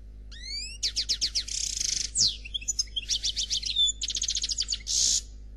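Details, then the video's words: Black European goldfinch in Khalwi song, sung without faults: rising whistled slides open a dense high sequence of rapid repeated notes, buzzy rattles, liquid chirps and fast trills, ending on a brief harsh buzz, over a faint steady hum. "Chardonneret Noir Khalwi Chant sans fautes"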